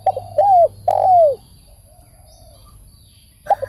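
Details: Spotted dove, linked to decoy trapping, gives a short note followed by two strong, drawn-out falling coos. A pause comes next, then a quiet note and a fresh clipped pair starting at the end.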